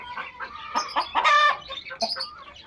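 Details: Pet hens meeting pet chicks: a run of short, throaty hen clucks that rise to one louder, drawn-out cackling note in the middle, with thin chick peeps scattered around it.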